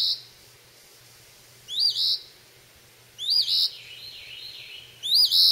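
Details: Recently fledged phoebe practising its calls while feeding on insects around a porch in a yard, May 21, 2012: high, slurred two-part chirps repeated roughly every one and a half seconds over a steady low electrical hum.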